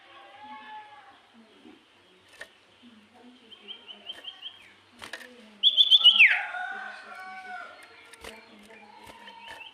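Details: Sooty-headed bulbul song used to provoke other bulbuls into answering: short rapid chirpy trills near the upper range, one loud burst of quick ascending notes mid-clip, soft warbling phrases between, faint clicks in background.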